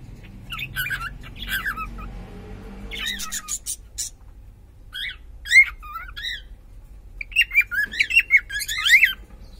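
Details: Pet cockatiel whose sex is unknown, indoors; scattered short chirps and warbled notes in irregular bursts, a soft rustle early on, then a quick run of repeated chirps toward the end.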